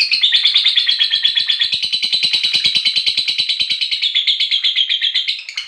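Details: Lovebird ngekek panjang, a long trill used as a lure for other lovebirds: a rapid, continuous, high chattering trill of evenly pulsed notes that runs unbroken for nearly six seconds and stays steady in pitch, with no other sounds.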